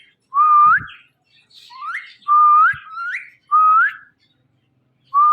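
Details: Indoor pet Indian ringneck parakeet talking, said to say "Mittu": a string of whistled voice-like syllables, each starting low and sliding upward at the end, repeated about once a second with short gaps.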